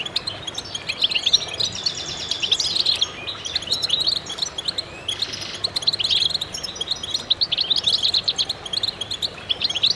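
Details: Extended goldfinch chorus: waves of rapid, tinkling twitters and buzzy trills from several birds, surging and easing over ten seconds with only brief lulls.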